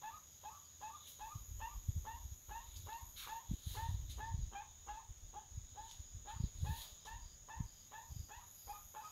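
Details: Crested guan (Penelope purpurascens) at a forest farm dwelling in Panama calls: a rapid series of short, slightly rising honks, about three per second, over a steady high insect drone and low rumbling thumps.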